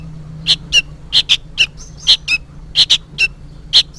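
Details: Juvenile sooty-headed bulbul noisily begging, seemingly summoning its parent: bright, sharp chips in quick pairs, each second or so, the second note of a pair dipping lower.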